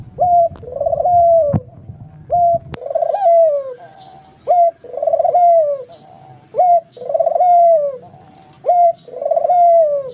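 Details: Barbary dove in full song, with regular phrases about every two seconds. Each phrase is a short sharp note followed by a rolling, throaty coo that rises slightly and then slides down. A few faint chirps sound behind.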